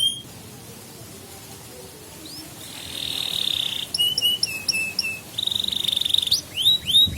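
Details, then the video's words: Canary singing to train young canaries: after a quiet start, a buzzy held trill, a series of sharp chips and upswept whistles. "Kenari GACOR Masteran Burung Kenari PAUD Belajar Bunyi dan Pancingan Kenari Macet"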